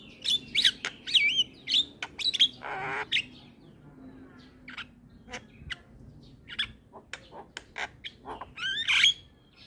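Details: Javan myna in a cage, used as a training song: loud whistled and squawking notes at the start, a rasping burst, then sparse clicks and a final rising whistle.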